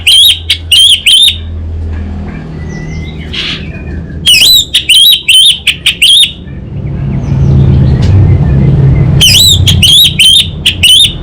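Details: Orange-headed thrush from Singaraja, north Bali, singing energetically in kabel konslet style. Three clusters of rapid, harsh, electric-sounding buzzes come between pauses. Soft whistles and a low rumbling hum fill the gaps.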